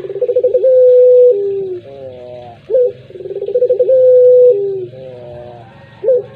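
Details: Cooing puter pelung collared dove giving two full phrases about three seconds apart. Each has a pulsing trill, a long level whistle-like coo and a falling tail, with a short rising hiccup between phrases, over a low hum.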